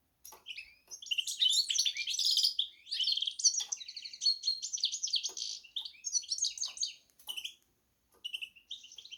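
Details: Song of a goldfinch x canary hybrid: bursts of bright, jumbled warbling and twitters broken by brief pauses, with quick chirping phrases and a few soft clicks in a quiet room.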